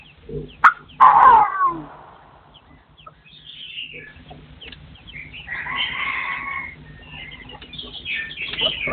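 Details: Partridge crowing in a forest setting, recorded in 2024: a loud harsh burst near the start, then softer scratchy calls and a run of rough, repeated notes in the second half.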